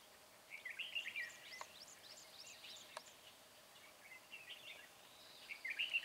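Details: Red-whiskered bulbul kept as a decoy for trapping wild bulbuls, 13 March 2020, its voice described as bell-like; short bubbling, warbled phrases near the start and again at the end, with a faint run of thin high chirps over steady hiss.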